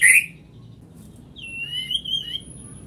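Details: White-rumped shama giving a sharp high note, then after a pause a long, wavering, slightly buzzy whistle that rises and falls.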